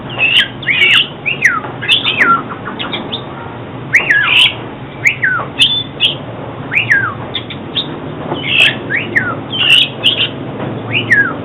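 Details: Oriental magpie-robin singing, a recording used for trapping birds and training song: repeated downward-sliding whistles, each dropping steeply, delivered in bursts roughly every second or two, mixed with short sharp clicks.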